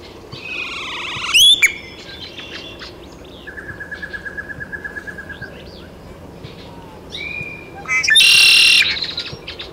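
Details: Great-tailed grackle in Taos, New Mexico, on 17 June 2017: a sharp rising whistle, a fast dry clicking rattle of about twenty notes, another slurred whistle, then a loud harsh rasping burst.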